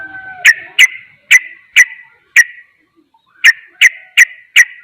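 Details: Sooty-headed bulbul rapid song said to provoke rival bulbuls: sharp clipped chirps repeated about every half second, a gap of about a second, then four more quick chirps.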